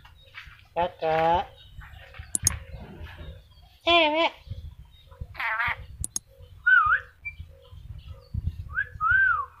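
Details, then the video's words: Talkative ornate lorikeet from Sulawesi mixing a few speech-like syllables with sharp clicks, then closing with three clear whistled notes that rise and fall, amid a low indoor hum. "Nuri dora sulawesi pintar ngomong"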